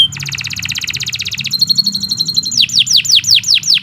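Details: Canary in long, continuous song, used as training material for young birds: a rapid buzzy trill, a steady repeated high note, then loud slurred notes falling in pitch, about two per second.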